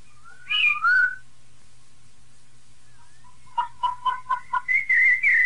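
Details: Piedade-style song of a rufous-bellied thrush, with female calls included to stir a pet bird: a fluty whistled phrase, a pause, then a quick run of six clipped notes ending in sustained whistles over a soft low hum.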